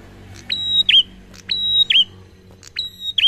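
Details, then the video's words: Prinia giving a slow, relaxed song used to lure other birds into singing: three high, thin phrases, each a sharp upsweep, a sustained whistled note and a dipping twist, repeating about once a second over faint background hiss. "Prenjak Ngalun Santai Sangat Cocok Untuk Pancing Bunyi"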